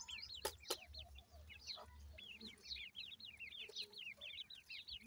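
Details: Several francolin chicks calling for their mother, giving rapid runs of high, curved, downslurred peeps in overlapping series, with a few loud knocks near the start and a low rumble underneath.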